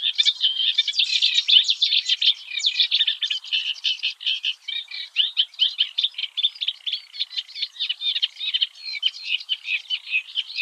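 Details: Eurasian reed warbler (Acrocephalus scirpaceus) in the Oostvaardersplassen, the Netherlands, singing at dawn: a nonstop jerky stream of churring, clicking notes, about two per second, slightly fainter toward the end.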